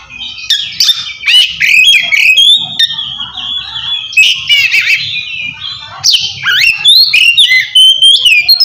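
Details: Oriental magpie-robin singing in the loud, open ngeplong style, calling out to a rival and used to prompt quiet magpie-robins to sing. Strong, varied whistled phrases with rising and falling sweeps pour out almost continuously, interspersed with harsh notes.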